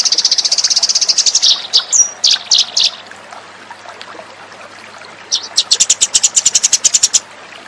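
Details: Lure recording of Eurasian tree sparrows: rapid high chirping, a short whistle and a few spaced chips, a quiet gap of about two seconds, then another quick run of sharp chirps.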